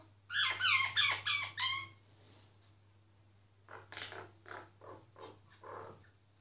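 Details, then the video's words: Myna singing, recorded quietly: a loud sequence of four or five ringing, harmonic whistled notes in quick rhythm, then a softer, evenly spaced run of rasping pulses. "Mynah singing"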